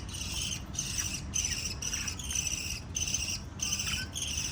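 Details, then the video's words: Group of five little lovebirds chirping, giving harsh, buzzy pulses that repeat about every half second in an uneven beat over a low background hum. "Five Little LOVE Birds Chirping Sound"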